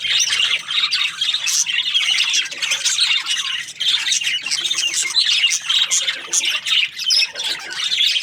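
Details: Budgies, Australian parrots, in lively group chatter: overlapping high chirps, squeaks and scratchy calls, with a short lull around four seconds and again near seven seconds before resuming.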